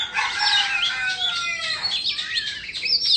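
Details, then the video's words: A rooster-like crow with stacked, slowly falling tones opens the recording, then an Indonesian Oriental magpie-robin, dancing as it sings, breaks into quick, bright looping whistles and chirps. "Choè Than Indo hót múa xoè"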